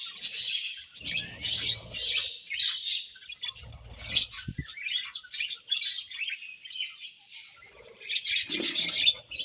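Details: Several budgerigars chirping as they eat, an ongoing mix of bright chirps and scratchy warbles, with occasional low knocks and a loud burst of chatter near the end.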